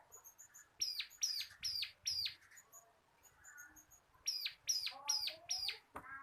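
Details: Tutor song of a local kristal kapas bar-winged prinia in ngebren style: high thin ticking notes, then runs of four sharp down-slurred chips, repeated after a pause, ending with a brief lower rasping note.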